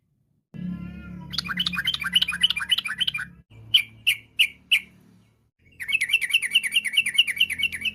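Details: Lively sooty-headed bulbul, 'trucuk ropel' style, singing to draw others into song: fast chattering phrases, a few separate sharp notes, then a steady string of quick, evenly repeated chirps, with a faint low hum beneath.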